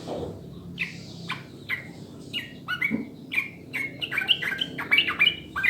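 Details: Clear recording of sooty-headed bulbul song, played to coax other birds into fast, frequent singing: it opens quiet with scattered notes, then builds into quick, bright, warbled phrases that crowd together toward the end.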